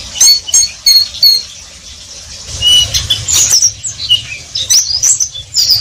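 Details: Oriental white-eye (pleci) in riwik-style song: a few high chirps and short whistles, a quieter stretch, then more bursts of twittering mixed with sharp clicking ticks.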